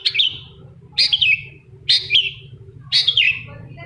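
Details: Long-tailed shrike singing as a lure to provoke a reluctant shrike to answer; four rasping, falling notes about one per second over a faint low hum.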